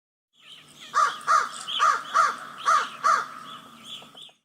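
A crow gives a quick run of six harsh, hoarse caws, each about half a second apart, with no other clear sounds.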